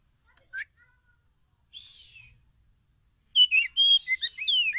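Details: Forest Oriental magpie-robin used as a lure: one faint sharp note and a soft raspy passage, then a loud burst of rapid varied whistles and descending slurs near the end.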